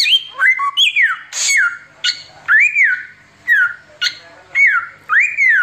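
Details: Tembakan-style song of an Oriental magpie-robin singing continuously, used as tutoring material: arched whistles that rise and then fall, sharp high clicks, and one harsh burst, in spaced loud phrases.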